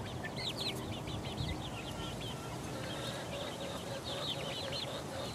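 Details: Four-week-old chicks pecking around, producing a rapid string of thin, high peeping chirps that blend into a steady chatter, with low rumbling background noise.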